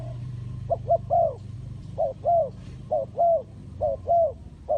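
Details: Spotted dove, heard in a bird-trapping lure setting, calling: soft hooting coos at mid pitch in short phrases of two or three notes, each phrase about a second apart, over a low steady hum.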